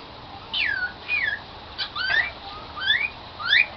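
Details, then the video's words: Pet cockatiel that sings "Song of the Garden", here giving short chirps that sweep downward, repeated about once a second in five separate bursts over a quiet room background. "meet sassy the cockateil bird that sing "Song of the Garden""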